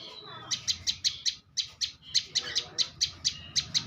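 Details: Bar-winged prinia of champion competition quality delivering repeated high, sharp chip notes in two quick runs with a brief break, over low background rumble.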